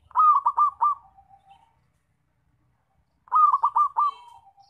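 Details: Loud zebra dove used for luring and trapping birds. Two bursts of four or five fast, bubbling coo notes, each trailing into a soft fading hum, about three seconds apart in quiet surroundings.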